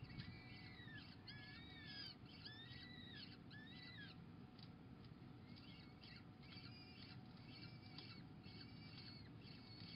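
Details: At a peregrine falcon nest, 26 April 2021, a female feeds pigeon to chicks. Quick clusters of thin, high whistled notes, each slurring downward, come in bursts every second or so against constant low background noise.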